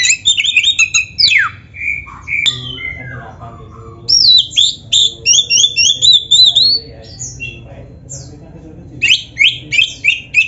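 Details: Oriental magpie-robin singing a rich, varied song used to train caged birds: rapid high whistled phrases, slurred trills and a run of about ten quick repeated chirps, with a faint low background hum.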